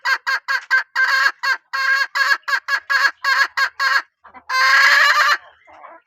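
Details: Hen of a strong-calling line giving a long series of loud, harsh, rasping notes, about a dozen in quick succession, then a longer drawn-out call after a short break.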